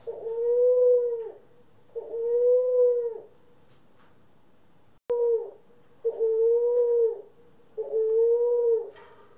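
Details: Pet doves from a mixed group of ringneck, Senegal and hybrid doves, recorded April 25, 2021: steady, hollow mid-pitched coos, each about a second long, repeated roughly every two seconds with short quiet gaps between them.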